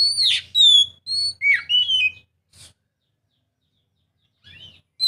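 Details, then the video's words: Oriental magpie-robin song used as a prompt to get quiet birds singing: a few loud, clear whistled phrases that slide and warble, then near silence with one faint note and a final burst at the end. "Kacer mana yang gak lasung bunyi dengar suara kacer ini"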